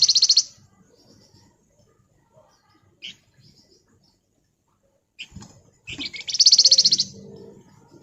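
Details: Flamboyan, the Javan fulvetta, singing gacor ngebren: a loud buzzy trill at the start, scattered high chips and a short note, a pause, then another rapid, rattling high trill lasting about a second.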